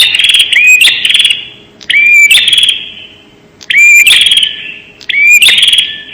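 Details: Lure recording of a bar-winged prinia, the prenjak: four harsh buzzing bursts with sharp clicks and a clear upswept whistle inside each, spaced by short quiet gaps.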